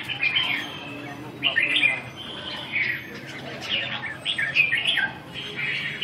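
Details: Red-whiskered bulbul in a training session, 2 June 2012, singing a series of short, bright warbled phrases separated by brief pauses over a soft hum.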